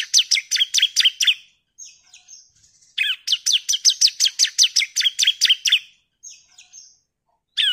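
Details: A female Bar-winged Prinia calls the male, recorded as a lure. Rapid bursts of high, sharp chirps come in two long runs separated by short pauses filled with softer thin trills, then one last chirp.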